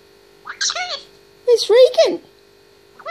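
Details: An 18-month-old pet grey parrot talking indoors: clear voice-like syllables in two bursts, with rising and falling tones and a brief whistled upslur, against a constant background hum.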